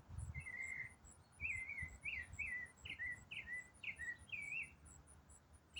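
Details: Continuous autumn song of an unidentified songbird: a burred opening note, then a regular series of short twisting whistled phrases, about two per second, with faint low rumble behind.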